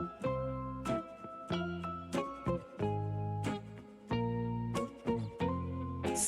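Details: Cheerful children's music of plucked, bell-like notes in a steady beat, with no animal sound.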